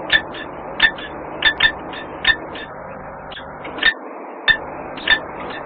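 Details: Common kestrel calling in Włocławek: sharp, high, slightly nasal notes in loose clusters, roughly nine in six seconds, over a low background hum like distant traffic.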